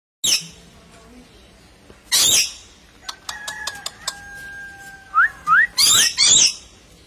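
Harsh, rasping parrot screeches in short bursts, with a pair of quick rising whistles, some sharp clicks and a thin steady tone in between.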